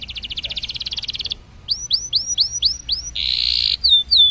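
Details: Canary singing to stimulate other canaries to sing: a rapid buzzy trill, brief pause, six rising whistled slurs, a dense rattling burst, then two sharp falling notes; clean, quiet background.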